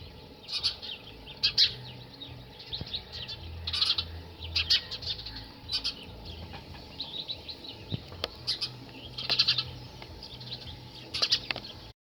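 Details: Male house sparrow active outdoors, a run of sharp repeated chirps in irregular bursts throughout, some loud and clustered, with low background hum.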